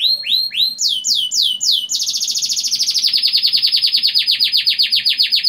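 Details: Canary song played as a lure so young birds sing sooner: a few slower descending whistles give way to a fast, long rolling trill of dense repeated notes.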